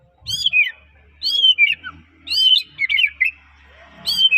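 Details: Gacor white-rumped shama from Medan, kept to trigger other shamas into singing, repeating loud whistled phrases that start high and slur downward, with faint low hum between phrases.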